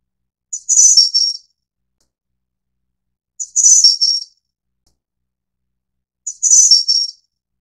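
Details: Snowy-browed flycatcher of the Taiwan endemic subspecies Ficedula hyperythra innexa, a broadleaf and mixed forest bird: a high, thin phrase of a short lead note then two or three sibilant trilled notes, repeated three times about every three seconds, with silence between.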